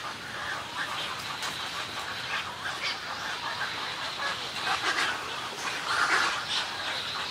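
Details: Snowy egret colony calls and greeting calls, heard as scratchy, overlapping croaks and rasps with a louder nasal squawk late on. The background is a steady hiss of many birds.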